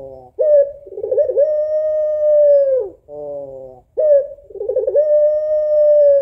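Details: A female African collared dove of the puter pelung type calls to the male with two cycles of a rolled, wavering start, a long steady coo of about two seconds, and a nasal buzzy tail note.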